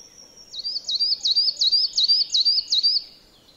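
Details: A coal tit in a yard in Joroinen, Finland, repeats a thin, high two-note phrase about seven times in quick, even succession over faint background hiss.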